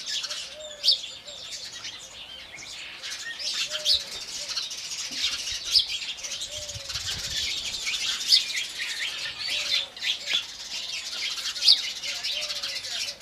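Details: Indian house sparrow chorus at morning, steady high twittering chirps from many birds throughout, with quiet arched dove coos recurring underneath.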